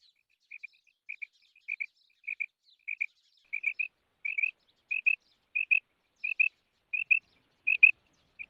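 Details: Female quail repeats high, twin-note calls at a regular pace, each pair about half a second apart, for over eight seconds.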